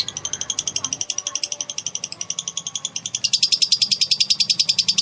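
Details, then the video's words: Female lovebird ngekek song, a long trill used to provoke other lovebirds: quick rhythmic high chatter at a steady pace, growing louder and brighter for the final two seconds. "BURUNG LOVEBIRD BETINA NGEKEK NGETIK PANJANG || PANCINGAN AMPUH BIKIN LB NGEKEK"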